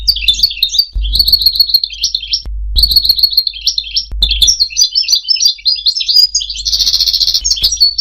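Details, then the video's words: European goldfinch song, used for mating and for teaching goldfinches to sing: a fast, high, liquid twittering of trills and slurred notes, broken by short pauses, with soft low thumps underneath. "مجموعة اصوات لطائر الحسون ل التزاوج و تعليم الحسون التغريد"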